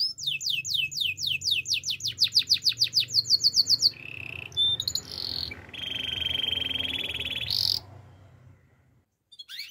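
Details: Russian canary singing: a quick series of rising sweeps repeated about four times a second, then a steady buzzy trill, a short pause, and a long even rolling trill before fading out.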